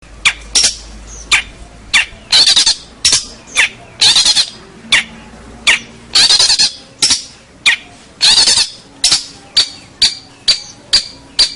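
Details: Local long-tailed shrike, a prize-winning singer, in a master recording for training birds: loud harsh rasping bursts repeated about twice a second, some with thin high whistles, over a quiet background.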